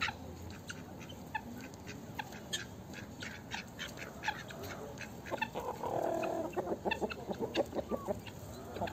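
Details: Poultry at a zoo yard, where chickens, a duck, geese, turkeys and guineafowl free-range outdoors, clucking and calling in short repeated bursts that build into a louder run of rapid clucks, over a steady background hum.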